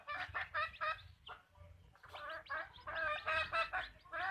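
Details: Backyard farm hens clucking in loud, nasal, ringing bursts grouped in quick runs, with a short pause midway before the clucking resumes in a busier rush.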